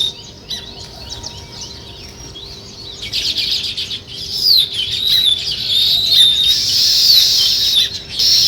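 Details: Sparrows chirping in the morning, where weaver birds build nests: a dense chorus of high, rapid chirps and twittering notes that swells after the first few seconds into a continuous, overlapping chatter of many birds.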